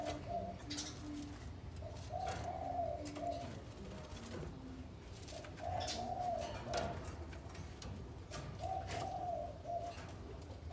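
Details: Captive breeding pair of spotted doves, housed together for three days, preening each other and carrying material to build a nest; low, soft cooing phrases repeat about every three seconds, with scattered clicks and knocks in a small room.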